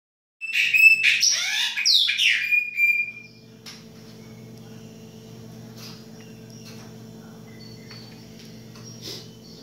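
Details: Chopi blackbird of the baianinho type singing in winter: a loud three-second burst of rich, varied whistles and harsh chattering notes. It then falls silent, leaving a steady low hum and a few faint, distant chirps.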